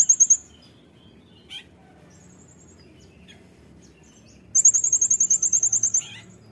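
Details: Brown-throated sunbird in energetic 'nembak' song, used to tutor cage birds: a brief high trill opens, a soft chip follows, then after a long quiet gap a longer burst of about fifteen piercing, fast-repeated notes.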